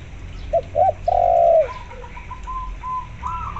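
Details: Lure recording pairing a vocal spotted dove with a local zebra dove to stir zebra doves to call: one dove phrase of two short notes and a long low coo, then a higher, rapid, stuttering zebra dove coo.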